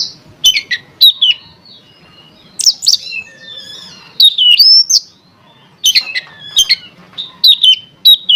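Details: Oriental magpie-robin song played to stir other magpie-robins into song: loud varied whistles, some rising and some falling, packed into quick bursts with crisp clicking notes and short silent gaps between groups.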